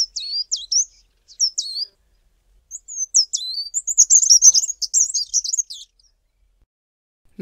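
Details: Fairy Flycatcher singing in the southern Karoo, South Africa: very high, thin squeaky phrases of short rising and falling notes, then a rapid tumbling twitter lasting a few seconds; no other sounds.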